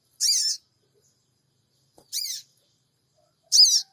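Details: Sooty-headed bulbul call used as a lure to draw a response, recorded by Android in Purbalingga: three rasping, scratchy chirps spaced roughly one and a half seconds apart, otherwise quiet.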